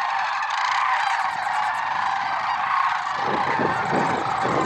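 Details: Lesser sandhill cranes, Merced National Wildlife Refuge, early morning, February 6, 2023: a steady chorus of overlapping bugling calls, with a deep rumble rising underneath during the last second and a half.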